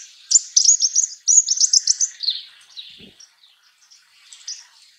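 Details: Russet sparrow, a bird of farmland often seen on wires in mixed-sex winter flocks, giving a quick run of about a dozen bright, high chirps over two seconds, then softer scattered notes trailing off.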